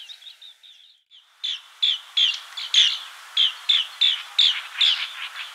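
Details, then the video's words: Green bee-eater giving soft, quick trilled notes at first, then after a brief pause loud, sharp, slightly buzzy chirps repeated roughly every third of a second. "Green Bee Eater Call | বাঁশপাতি পাখির ডাক | Bee Eater Bird Sound | Banspati Pakhir Dak"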